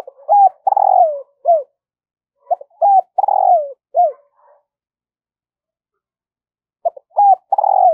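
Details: Decoy spotted dove cooing at dawn to attract wild birds. Three phrases of low, hollow coos, each built from short introductory notes, a drawn-out downward-sliding coo and a brief last coo, separated by silent pauses.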